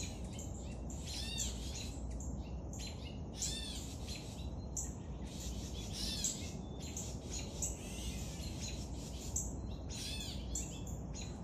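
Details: Young woodpecker begging while being fed: dense, high, arching chirps in rapid bursts every second or two, over a steady low rumble.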